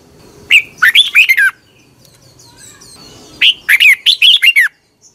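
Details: Red-whiskered bulbul singing in the morning as a training lure: two loud bursts of rich, warbled whistled phrases, rising and falling notes packed tightly, separated by a quiet gap of about two seconds.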